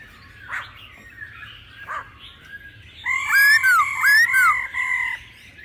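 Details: Laughingthrush in mature wild-forest voice with a female's calls, to spur males to sing: a few soft rasping notes first, then a loud burst of long steady whistles overlaid with quick rising slurred notes.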